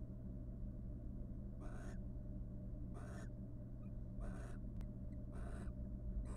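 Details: Wild barn owl pair in a monitored nest box, courting each other after raising three nestlings: breathy, hissing bursts about half a second long, repeated roughly every 1.2 seconds over a steady low electrical hum.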